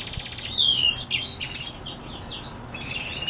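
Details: Black-throated x Reichenow's seedeater hybrid singing. Opens with a quick run of high, evenly spaced ticks, then a fast, twittering warble of sweet whistled notes and slurred trills, all high pitched.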